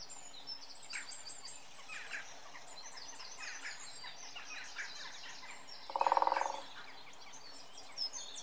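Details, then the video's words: At close range in early March, a great spotted woodpecker drumming on a mature tree beside a brook gives one short, rapid roll of about half a second, fading at the end, over a busy chorus of other birdsong. "A Drumming Great Spotted Woodpecker"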